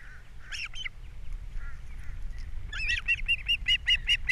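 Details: Osprey at a Captiva nest on an April morning as a fish arrives and chicks are fed; a couple of scattered calls, then a steady rapid string of even, high chirps with a faint low rumble behind.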